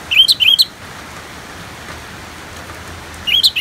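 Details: Orange-headed thrush with rain in the background: two short bursts of bright looping whistled notes, separated by nearly three seconds of rain hiss.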